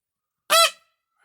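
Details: A young male Indian peafowl on a farm, vocalising for one of the first times and finding his voice, gives one brief, nasal, honking note, rich and slightly rising then falling, lasting about a third of a second.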